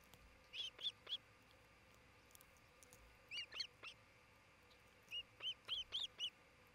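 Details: Nesting osprey at a Charlo, Montana nest, June 27, 2018, near noon: three bursts of loud, high whistled yelps, each of three to five quick arched notes, separated by pauses of about two seconds.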